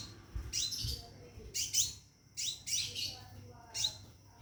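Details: Scarlet minivet calling from a cage to attract a female: four separate bursts of high, shrill, doubled notes about a second apart, with low background rumble.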